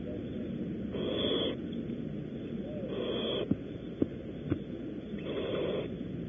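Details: Barn owls at a California nest, Audubon Starr Ranch, during prey deliveries; three breathy hissing screeches about half a second long, with a few sharp clicks and knocks between them over constant hiss.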